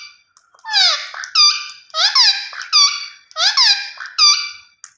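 Rose-ringed parakeet giving loud, harsh, screechy calls in paired bursts, roughly three pairs over five seconds, with a slight room echo.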